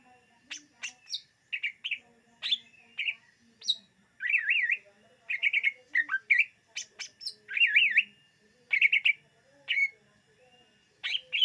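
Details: Greater green leafbird singing, recorded for luring birds: a lively medley of sharp chips, rapid zigzag warbles and short buzzy whistles delivered in quick bursts with brief pauses between.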